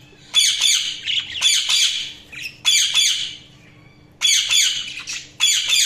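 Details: Budgerigars produce separate bursts of scratchy, warbling chatter roughly every second, with near-silent gaps between.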